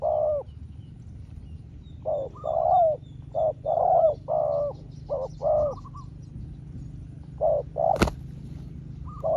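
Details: Spotted dove trading calls with a rival wild dove: a long run of mellow coos, short clipped notes mixed with longer swelling ones, brief pauses between. A sharp click near the end. Faint high chirps from other birds.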